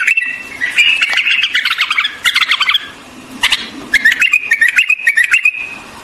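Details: White-eared bulbul warbling a lively run of whistled notes, then a chattering burst, followed by short rising and falling whistles.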